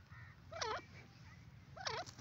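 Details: Female grey francolin, called dakhni teetar, giving two harsh looping call notes a little over a second apart, each sweeping down then up, over a steady low hum.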